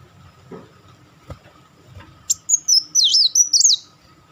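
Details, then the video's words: Kolibri Wulung sunbird in crecetan chatter, a master bird for training champion songbirds: soft knocks first, then a fast run of high, sinuous, wavering notes lasting about one and a half seconds. "crecetan dan tembakan beruntun Kolibri Wulung"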